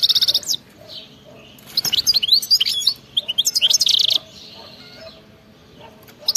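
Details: Wild European goldfinch song in the rapid 'batbata' style, meant to set silent goldfinches singing: bursts of high, fast twittering and buzzy trills, broken by short pauses, with a final brief twitter.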